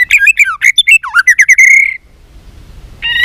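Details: White-rumped shama practising contest singing: a quick run of varied whistled notes, a dipping slurred phrase, then a long steady trill that ends abruptly; silence follows before a new whistled phrase begins.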